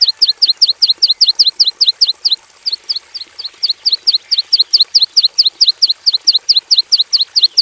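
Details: Javan bush lark (branjangan javanica) in a simple aviary cage, singing a fast series of sharp high downslurred chirps, about two to three per second, with a brief pause near the middle; faint steady high hiss in the background.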